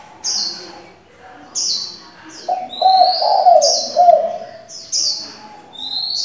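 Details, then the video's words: Spotted dove decoy giving many different calls for training young birds: a low, throaty coo lasting nearly two seconds in the middle, surrounded by repeated bright chirps and short whistles from other birds. "Cu gáy đảo giọng liên tục"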